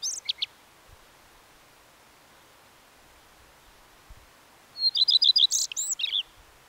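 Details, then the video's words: A common redstart sings a brief high note fragment, then a long silence, then a full strophe: a clear introductory whistle, a run of rapid repeated notes and a jumbled, scratchy twitter at the end. "The song of the Common Redstart"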